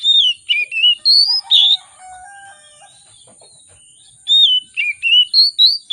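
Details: Agitated oriental magpie-robin with a luxurious varied song, used to stimulate other birds to sing: rapid bright whistled phrases, a lower harmonic wavering note midway, a quiet gap, then six fast sweeping whistles.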